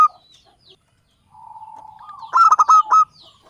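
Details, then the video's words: Javanese local zebra dove used to lure birds into traps: a soft, drawn-out purring trill builds into a loud cluster of four or five clipped coo notes. "SUARA BURUNG PIKAT PERKUTUT LOKAL JAWA Pancingan buat pemula"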